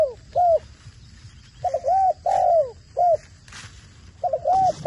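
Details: A trained captive decoy spotted dove gives soft, hollow, low coos in short groups of two or three notes, with pauses between the phrases and a faint background hiss.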